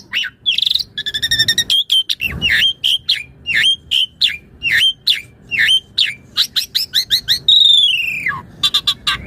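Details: Asian pied starling chattering vigorously as master material for training other birds: rapid clipped whistles and buzzy rattles repeated in quick bursts, ending with a long, drawn-out whistle sliding downward.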